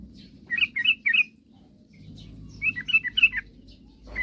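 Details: Sooty-headed bulbul singing vigorously, sung to provoke rival birds into singing: two short bubbly phrases of three to four warbled, chuckling notes, a second apart, over a steady low hum.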